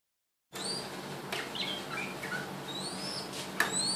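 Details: A male Red-whiskered Bulbul, a captive bird adopted as an orphan, sings while dancing and being massaged. A bright rising whistle opens, a few short chirps follow, and another rising whistle ends the phrase over a steady low indoor hum.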